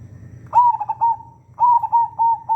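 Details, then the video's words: Local zebra dove singing, used as a master recording to stir other doves into calling; two phrases of rapid, mellow coo notes, each about a second long, over a low humming background. "NUTUT NYARING SUARA BURUNG PERKUTUT LOKAL INI"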